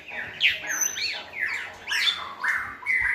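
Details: White-rumped shama song used to train another shama, with several good-voiced shamas tutoring a selected bird toward varied song; loud overlapping whistled and slurred phrases, rising and falling, in bursts with reverberant background.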